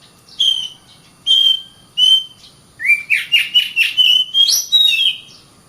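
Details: Oriental magpie-robin, caged and singing continuously to train others to fight: three clear separate whistles, then a quick run of rising slurs and chattering notes ending in a high sweep.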